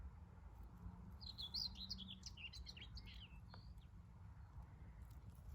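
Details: Common whitethroat singing its scratchy song, one brief hurried warble of high chattering notes lasting about two seconds, over a steady low rumble of wind, recorded on a sunny 14 May 2023 near active whitethroat nests.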